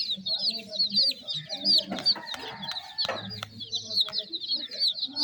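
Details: A group of young chicks giving steady, high, quick descending peeps in an overlapping stream, with a few lower murmuring notes and sharp clicks in the middle.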